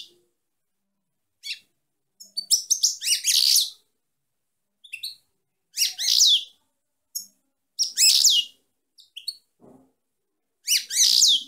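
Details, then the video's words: Song of a female European goldfinch, given as separated phrases of rapid liquid twitters and tinkling chirps, each under a second long, recurring several times with short silent pauses and a few isolated single notes between bursts. "chant femelle chardonneret - .Canto femeninas jilguero"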